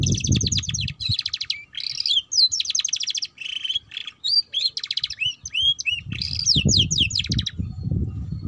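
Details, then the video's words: Canary song played to teach young canaries to sing: fast, high, rattling trills and rolls with sweeping whistled notes, almost without pause; a low rumble underlies the start and end. "Kenari Paud Belajar Bunyi Ngeriwik"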